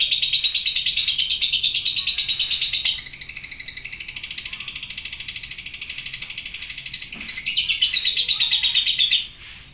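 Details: Long chattering song (ngekek) from a lovebird: loud rapid high chatter, softening for several seconds into quieter pulsing, a brief thump, then rising to full strength again before stopping suddenly.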